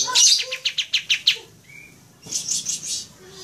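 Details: Pied triller birds answering each other, recorded for use as a lure. A quick series of about eight sharp, bright notes comes first, then a thin whistle and a softer burst of rapid chatter, with faint background voices.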